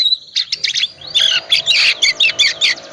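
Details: Oriental magpie-robin of the calm 'tipe dingin' type, singing vigorously with full 'isian' mimicry as a lure for reluctant birds: dense bursts of buzzy, scratchy notes and short whistles in quick succession over a faint steady hum.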